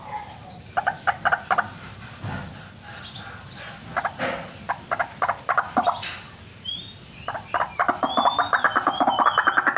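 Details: White-breasted waterhen used for luring, giving spaced harsh clucking notes that build into a faster, denser croaking series toward the end, with a few thin higher whistles over it.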